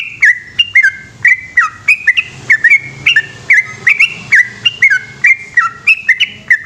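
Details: Continuous night-time 'gacor ropel panjang' song of a yellow-vented bulbul: an unbroken chain of loud, clear whistles, each sliding downward, delivered rapidly over a low humming background.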